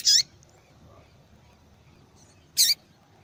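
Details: Female double-collared seedeater giving calls meant to stimulate males; two bright, high, buzzy chirps about two and a half seconds apart, otherwise near silence.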